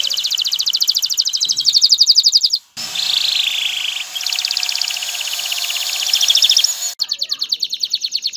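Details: Male canary singing to stimulate a female toward mating and nest building: long rapid rolling trills, a hissy middle section with a lower buzzy phrase, then the fast trill again.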